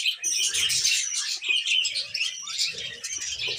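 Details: Female pet budgerigar, tamed, giving unbroken scratchy warbling chatter with bright whistled notes woven through, fairly loud throughout.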